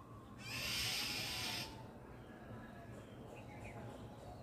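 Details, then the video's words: An Oriental magpie-robin (Copsychus saularis) calls: one loud, harsh, hissing rasp lasting just over a second, followed by a few faint, thin chirps over a low background hum. "Oriental Magpie-Robin *Copsychus saularis* serenade with it's call"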